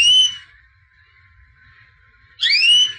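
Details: Champion white canary of the albino type giving two pure, rising whistled notes about two seconds apart, with a soft steady background tone between them.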